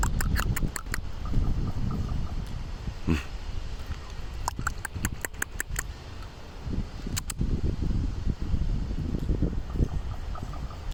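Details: Strange noises from a common raven in San Francisco: bursts of rapid, hard clicking knocks, several short clusters spread through the recording, over a steady low rumble of traffic-like background noise.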